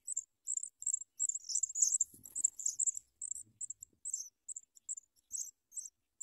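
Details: Nestling Sprague's pipits being fed big worms by a parent, giving a near-continuous stream of shrill, very high chirps in rapid uneven runs, with a brief soft rustle in the middle.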